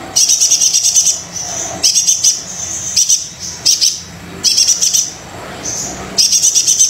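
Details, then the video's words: Very vocal brown-throated sunbird, used as a lure for lazy singers: long, dense runs of high, rapid trilling chirps lasting about a second each, alternating with short lower-level gaps. "Kolibri Dada Coklat Super Gacor Pancingan Kolibri Yang Males Bunyi"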